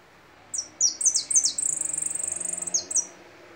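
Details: Goldfinch singing a rapid sequence of high, downward-slurred chirps that run into a fast, even buzzy trill before two closing notes.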